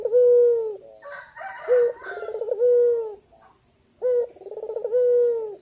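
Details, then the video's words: Male white dove (puter putih) calling to a female, energetic coos: a low clipped note, a rolling trill, then a long falling coo, repeated, with a thin high whistle from another bird over the top. "Puter Putih Gacor Jantan Memanggil Betina"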